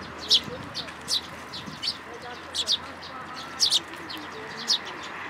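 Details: Young sparrow in a plum tree at a Tenmangu shrine, June 2022, visiting to be fed. Sharp, high chirps sound singly and in doubled notes, spaced roughly half a second apart.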